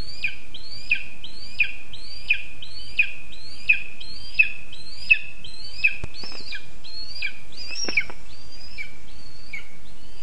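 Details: In a spruce nest in Zemgale, Latvia, on 20 August 2024, a Lesser spotted eagle chick insistently demands food: about thirteen rapid, high slurred whistles at a steady pace, later louder and rougher, with a few knocking sounds.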